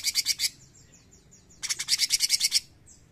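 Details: Bulbul (cucak cungkok) in 'gacor nembak' form: a quick burst of buzzy pulses, a series of soft falling whistles, then a longer rattling run of about ten harsh notes.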